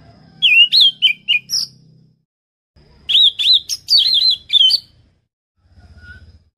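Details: Orange-headed thrush (Geokichla citrina) singing two bursts of rich, rapid warbled phrases with fast whistled slurs, separated by a short pause, over a faint low hum.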